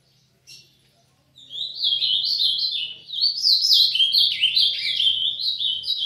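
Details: Young brown-plumaged Azulão male starting to open its song: a rapid, warbling run of high, tumbling phrases rising and falling, continuous for about five seconds after a brief opening note, with a faint low hum beneath.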